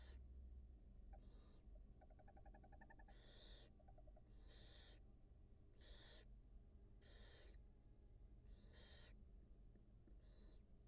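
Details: Barn owl mother feeding two newly hatched nestlings in a wild nest on a live camera: rhythmic rasping hisses, one roughly every second, with a brief run of thin, rapid chirping notes near the start and a constant low hum.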